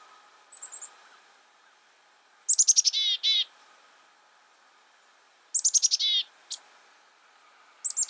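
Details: Black-capped chickadee repeating its call about every three seconds: high, descending chips running into a few coarse, buzzy dee notes, with quiet gaps between phrases.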